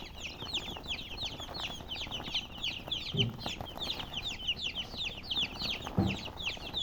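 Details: Colored chickens chirping: a dense chorus of high, downward-slurred peeps overlapping steadily throughout, with two dull low thumps near the middle and end.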